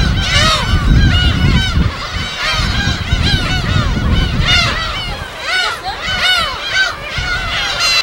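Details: Gulls calling en masse at their habitat on an uninhabited West Sea island, live recording: heavy wave wash and rumble underlie a constant clamor of arched, yelping cries that swell and fade.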